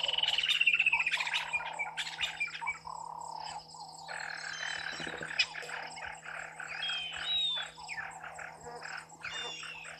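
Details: Water thick-knees at Gowrie dam waterhole, Djuma Game Reserve, Sabi Sand Wildtuin, South Africa, 18:42 on 01/12/2023. A quick run of whistled piping notes sliding downward opens the first second, then a dense chorus of insects and frogs and a steady low hum.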